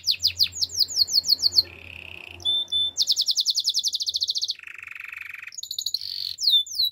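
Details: Varied male canary song: repeated falling whistled notes, a low steady rolled trill, a fast high buzzy rattle, a lower rolling trill, then rising and falling slurred notes.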